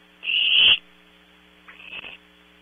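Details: Barn owl owlets at night in a nest at Audubon Starr Ranch, California: one loud harsh hissing screech, then a shorter fainter one, over a steady electrical hum.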